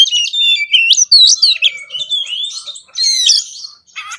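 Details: Kacer, the oriental magpie-robin, singing an energetic konslet-style song rich in fill-in phrases: quick upward and downward whistled sweeps, chattering notes, then a dense scratchy burst and a brief buzzy ending.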